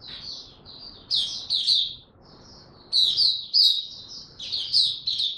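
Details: Oriental white-eye, a cage bird ramping up its form, giving 'buka tiong aw' song: high slurred chirps in short rushed phrases roughly every second or two, with quiet gaps and faint room noise.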